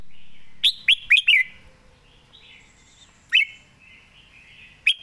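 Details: Caged red-whiskered bulbul gives a short phrase of four sharp, bouncy whistled notes. After a quiet gap come two single clear chirps. Faint soft background.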